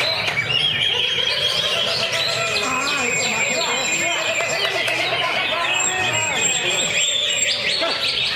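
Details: Greater green leafbird singing from a lovebird cage, continuous ngentrok delivery packed with fill-in phrases and trembling tight bursts; high, bright chirps and sustained whistled notes pour out unbroken throughout.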